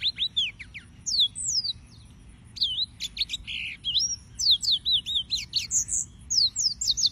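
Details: Sustained yellow-fronted canary song: a long string of bright, sharply slurred chirps and short whistles delivered at a brisk, even pace, high-pitched throughout.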